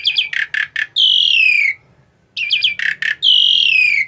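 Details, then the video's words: A tame Asian pied starling giving loud harsh calls: a few rapid raspy notes, then a long descending whistled slur, the whole phrase repeated twice with a short pause between. "Burung Jalak Suren Yang Paling Jinak"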